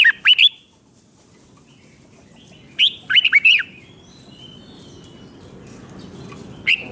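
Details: Red-whiskered bulbul from Thailand singing a doubled five-syllable song, played so young birds can learn it. Two short bursts of clear, bouncy whistled notes about three seconds apart, then a single brief note near the end, over a quiet low hum.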